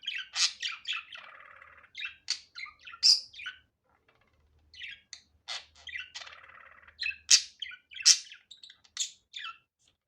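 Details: Budgerigar calling in a natural, unedited recording: bursts of bright chirps and grating buzzy rattles, a pause near the middle, then another rush of sharp tweets and scratchy chatter.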